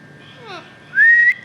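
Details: Pet Alexandrine parakeet, known locally as a raw or Kashmiri raw parrot, kept as a talking bird: a brief falling whistled glide, then a loud, clear whistle that rises steadily and cuts off sharply.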